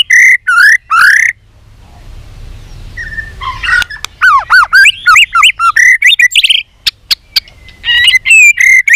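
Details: White-rumped shama (chòe lửa) contest song ('hót đấu') during training: loud clipped whistled phrases, a quiet gap, then rapid varied chirps, curved whistles and sharp clicks in quick succession.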